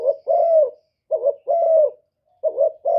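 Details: Calling spotted dove, 'thổ thúc' voice, used to provoke rivals. Three quick phrases of deep hooting, each a brief wavering coo run into a longer, level, slightly falling note, delivered almost back to back.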